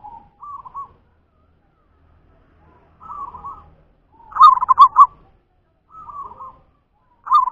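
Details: Local zebra dove of natural stock singing: soft, bubbly cooing phrases repeated with pauses, rising to a louder, rapidly pulsing rolling coo near the middle and again at the end. The background is quiet.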